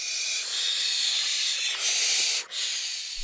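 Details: Barn owl (Tyto alba) chicks, five big youngsters of different sizes, give a steady, harsh, breathy hiss with one brief gap, in an attic nest beside village hay meadows in June, filmed through a hole in the attic wall.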